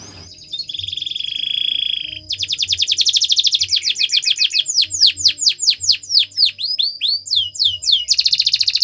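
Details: Canary training song: a quiet held whistle, a dense fast trill, then loud whistled notes falling and rising in a rolling rhythm, ending in another rapid high trill.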